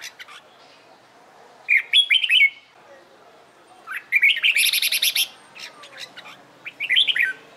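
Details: Trained red-whiskered bulbul practising competition singing: short bursts of bright warbled notes with rising and falling slurs, some high sharp clicks, phrases repeated about every two seconds with quiet gaps between.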